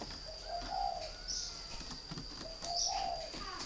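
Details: Two low, rounded coo phrases from a caged northern Vietnamese spotted dove kept three years as a decoy, each opening with a short note and swelling into a longer burred coo; steady high-pitched whine behind.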